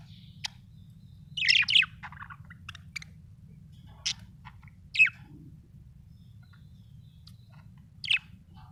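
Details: Happy budgerigar chirping: scattered short bright chirps and warbled notes, a cluster near the start then single sharp chirps every second or so, over a low steady hum.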